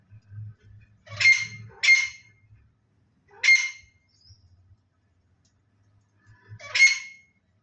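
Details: Black francolin freed from a large cage, giving harsh, grating bursts in a loose series of four, the first two close together, later ones spaced by a few seconds, with a faint low hum beneath.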